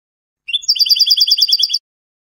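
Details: Spanish-style 'canto de salón' song of a European goldfinch: after a brief rising lead-in, a fast run of about fourteen identical high, buzzy-edged notes repeated evenly for over a second, with no other sounds.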